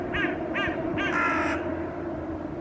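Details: Hooded crows harassing a perched young northern goshawk on a rooftop railing: three short rasping caws in quick succession, then a longer drawn-out harsh caw, over a low background hum.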